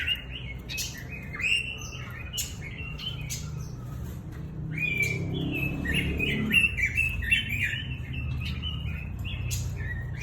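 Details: Song of a Pekin robin, made of quick chirps and twittering notes at an uneven pace with brief whistled slides, set against a constant low hum and occasional sharp clicks.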